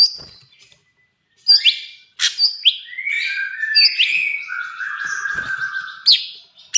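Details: Sooty-headed bulbul (cucak cungkok) singing full trotol material: a varied run of sharp chips, quick upslurred whistles and lower fluty, slightly buzzy notes, running almost continuously after a brief opening pause.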